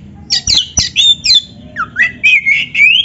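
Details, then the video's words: Song of an Oriental magpie-robin used to make other kacer answer: harsh scratchy notes at the start, then a run of clear rising whistles, each about a third of a second long, in steady succession. "PANCINGAN KACER GACOR ISIAN"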